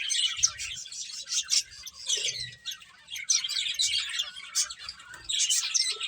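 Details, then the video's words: Finches chirping while eating: a dense, continuous chatter of short, high, bright chirps from several birds, with louder bursts near the start and end and soft low thumps underneath. "Cute Birds Chirping Sounds | Beautiful Finches Eating"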